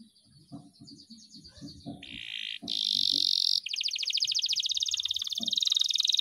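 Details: Agitated canary before a singing contest: after quiet low ticking and a few faint notes, it bursts into a loud, high, fast-rolling trill and a long, even, rapidly pulsed buzzing roll that grows louder to the end.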